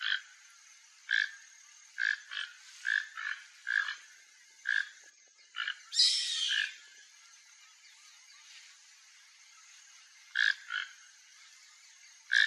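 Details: A free toco toucan eating papaya in a yard in Brazil gives short, rough, frog-like croaks, singly and in quick pairs, with a longer rasping burst midway and pauses between.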